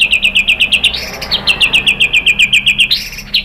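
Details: White-rumped shama singing to stir other birds to respond: a rapid, even series of bright, clipped notes, about four per second, broken by two brief rising whistles.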